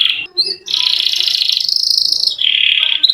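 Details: Singing canary delivering a long rolled trill, the song type kept to coax reluctant canaries into singing: a brief whistle and higher chirp, then a sustained, rapid buzzing roll that dips slightly and holds for over two seconds.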